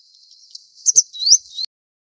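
Grey wagtail giving a couple of sharp, high, metallic 'tzit' notes, then a quick rising sweep, over a faint steady high hiss.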